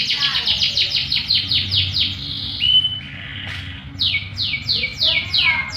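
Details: Canary song used as a lure to make other canaries answer: quick series of downward-sweeping chirps, a short flat whistle mid-way, then more descending sweeps after a brief lull.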